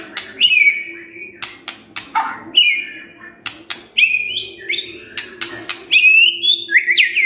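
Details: Morning white-rumped shama song for provoking a silent bird: sharp clicks and snaps alternate with short bright whistled phrases, some sliding down, over a constant low background hum.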